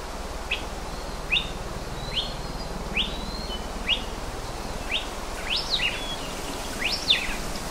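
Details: Hawaii elepaio of the subspecies ridgwayi on the Big Island of Hawaii, the form of upland rainforest: thin, high, whistled notes repeated roughly every second, some sliding up and down, over steady background hiss.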